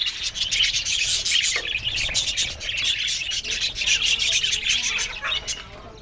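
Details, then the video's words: Aviary colony of budgies producing busy overlapping warbling and chirping, rapid high notes running together, fading slightly toward the end. "Parakeet's Lonely Budgies Sounds"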